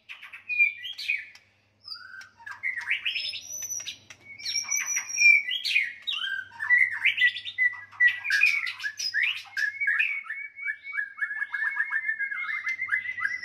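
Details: White-rumped shama fighting song meant to rouse a rival's aggression: loud varied phrases of whistles, sharp chips and rapid buzzy notes, ending in a long steady whistled trill with quick repeated flicks.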